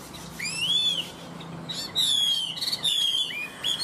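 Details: Chinese hwamei, a bird offered for sale in Vietnam and praised for nonstop singing, gives loud slurred whistles that rise and fall, with short pauses between each sweeping phrase.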